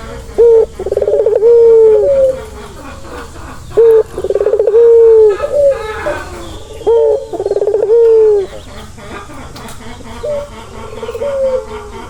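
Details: Soothing turtle dove call for a stressed bird, repeated four times about every three seconds; each opens with a brief note, rolls into a rapid pulsed trill and ends on a sustained low, slightly falling tone.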